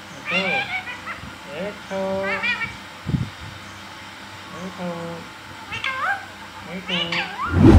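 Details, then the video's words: Pet green parrot chattering in speech-like runs of harmonic syllables, some held flat and others bending, with a soft thud midway and a loud knock at the end. "Parrot Sound Talking Parrot Bolne wala totha"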